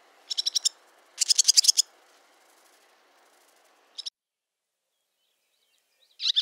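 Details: Barn swallow chatter call: rapid bursts of dry, high twittering notes, a run of five then a denser run of about ten clipped chips, followed by brief isolated chips.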